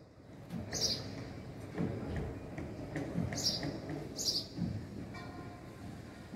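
A few bright, short house sparrow chirps, three or so spaced a second or more apart, over a steady low rumble of traffic or passing trains.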